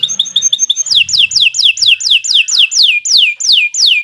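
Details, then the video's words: Long canary song recorded as a master to teach birds and coax silent ones. A few short piping notes lead into a steady series of loud descending whistles, each repeated roughly every third of a second. "Kicau Burung Kenari 106 II GACOR PANJANG Cocok untuk Masteran Super"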